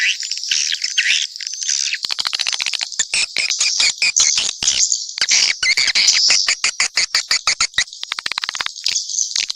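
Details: A chorus of swiftlets, continuous high twittering overlaid with bursts of rapid sharp clicks that come in quick trains.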